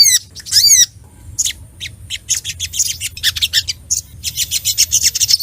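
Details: Crimson sunbird song with an emotional, rival-provoking edge: it opens with two loud, sweeping whistled notes, then a pause, then quickening bursts of sharp, high-pitched chirps.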